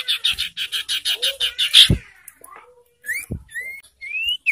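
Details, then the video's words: Ashy tailorbird lure call used to provoke and stimulate birds in breeding condition: a rapid run of about nine sharp, buzzy, evenly spaced notes, a loud knock, then several separate clear whistles that rise in pitch. "Memancing emosi dan Merangsang birahi burung sirtu"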